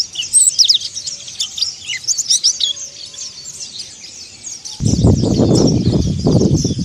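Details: Mountain white-eye performing ngeriwik and ngalas song, a rapid run of high, squeaky chirps and trills; after about five seconds, loud low rumbling noise joins while the faint twittering continues.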